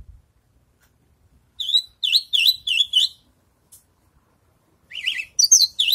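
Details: A post-moult Javan bush lark practising its songs: after silence, a series of wavy, warbling high notes about three per second, another pause, then more twisting phrases.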